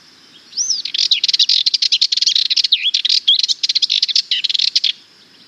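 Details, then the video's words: A Sardinian warbler gives a fast, scratchy, chattering song of rapid notes mixed with a few clear whistled slurs, lasting about four seconds. "Sardinian Warbler - Songs"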